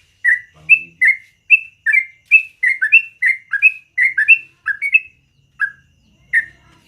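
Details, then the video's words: Yellow-vented bulbul singing a long rolling morning song: a run of short, bright, slurred chirps, some paired, repeated about twice a second, then a brief pause before two final notes. "BURUNG TRUCUKAN GACOR ROPEL PANJANG DI PAGI HARI"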